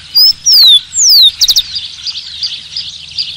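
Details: Rufous-collared sparrow (Zonotrichia capensis) singing: two or three clear, slurred whistles gliding downward, then a short, rapid, dry trill, over a steady background chorus of other chirping birds.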